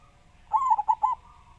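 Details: Local Javanese perkutut, or zebra dove, with a big voice delivering one brief phrase: a drawn opening coo then three short bouncing notes, with faint tonal hum behind.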